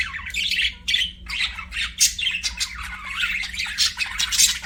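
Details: Budgerigars chirping in a continuous stream of rapid, scratchy, twittering squawks and warbles, high-pitched and unbroken, with brief dips between bursts and a faint background hum.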